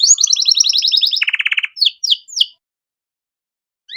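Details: Canary master song for teaching birds such as magpie robins and bulbuls: a fast high trill, then a lower rolling trill, a few separate slurred notes and a pause before a last note.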